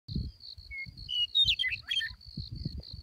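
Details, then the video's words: A Western Meadowlark sings near Soda Lake, Carrizo Plain National Monument, during the spring wildflower bloom: one brief burst of flutey, gurgling notes tumbling downward over a thin high hum and low wind rumble. "Meadow Lark"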